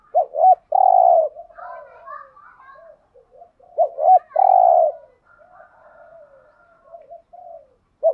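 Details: Decoy spotted dove cooing in the urging style to lure wild doves. Looping paired notes rise into a long mellow coo, followed by faint wavering, descending murmurs. The phrase repeats twice, about four seconds apart.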